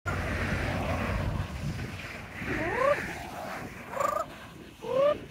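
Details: A pet parrot entertaining himself with trills and laughs in a bird backpack on an hour-long nature walk in Oviedo, Florida, gives three short rising whistled notes about a second apart, over low rustling and footsteps.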